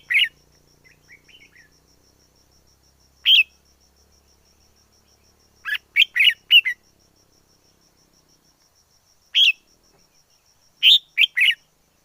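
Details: Wild red-whiskered bulbul delivering loud clipped whistled notes, some in clusters of two or three, after soft quieter notes at the start; a thin high whine runs throughout.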